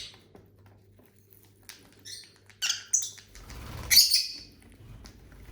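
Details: Caged pet lovebirds chirp while feeding. Scattered light ticks and patter give way to a few high squeaky chirps, then a louder rasping burst near the end.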